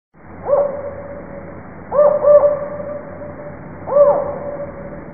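Spotted owl giving low, mellow hoots in a spaced pattern: one hoot, a quick double, then one more, over a quiet background hiss.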